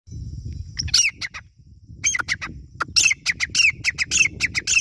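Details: A francolin, recorded as a hunting call, gives harsh, grating squawks in quick bursts of several notes a second after a short thin whistle, with a low background rumble.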